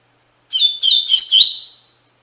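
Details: Double-collared seedeater, Tui Tui Fibra song used to teach captive brown and black males; one rapid, liquid warbled phrase of linked whistles, lasting about a second and tapering into a held final note.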